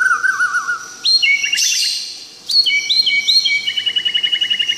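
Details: Tangse-type white-rumped shama, Aceh: a low warbling whistle, a burst of high notes and clicks, then a long rapid trill of evenly repeated chipping notes, sounding bright and mechanical.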